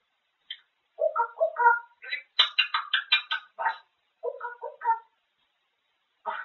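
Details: Pet grey parrot speaking continuously about food, with mid-pitched syllables, then a burst of sharper, higher chattering and a few more spoken words after a brief gap.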